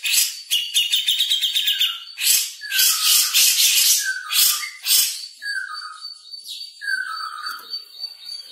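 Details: Grey-cheeked bulbul delivering fast, tight 'speed rapet' song: buzzy rattling trills over a thin high tone, interspersed with clear descending whistled slurs repeated several times.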